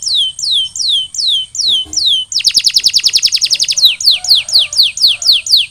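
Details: Canary sings rapid, repeated descending whistled notes, then speeds into a fast trill before returning to slower swooping phrases; nothing else is heard.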